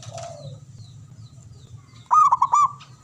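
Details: A single burst of quick, stuttering ringing coos from a male zebra dove near the end, preceded by a low background hum and a soft faint call.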